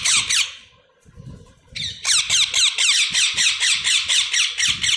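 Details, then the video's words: Harsh, buzzy chirps from baby parrots repeat steadily, roughly twice a second, forming a loud, continuous rhythmic rasping after a short early burst and a brief lull. "Baby parrots chirping"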